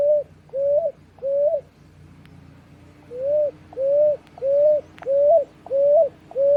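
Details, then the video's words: Nestlings of the picui ground dove call in smooth, level-to-rising whistled notes, three in a row, then a pause of about a second and a half, then six more at a quicker pace, with a faint tick or two in between. "Filhotes de Rolinha Picuí"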